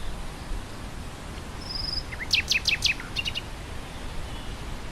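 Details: Nightingale singing amid wind through grassland: a burst of sharp, rapidly repeated high whistled notes, quickly delivered, over a steady rushing wind.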